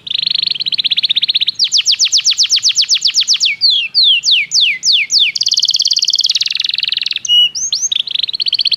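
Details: Belgian canary song offered as training for canaries: a high buzzy trill, then a fast run of repeated sweeping notes, several slurred downward whistles, a dense rolling tour and short rising notes, all bright and rapid.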